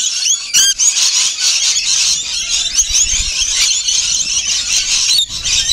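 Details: Many rainbow lorikeets feeding together, giving a constant wash of shrill, squealing screeches and rapid chatter, with brief lower knocks partway through.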